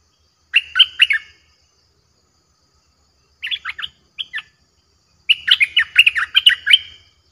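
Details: Fierce-sounding Streak-eared bulbul song used to lure wild birds; choppy, warbling chirp phrases come in three bouts, the last a long rapid run of bubbly notes, with faint low rumble beneath.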